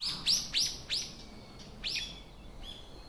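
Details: Wild birds in a morning forest in February 2025 at Ikuta Ryokuchi park, Kawasaki, Kanagawa, Japan: a run of sharp, high downward-sweeping chirps repeated about three times a second, then a few softer chirps, over quiet background hum.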